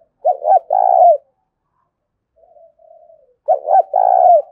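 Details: Two mellow coo phrases from a spotted dove in the 'thúc' luring voice meant to attract wild doves, spaced about three seconds apart, with a faint soft murmur in the pause.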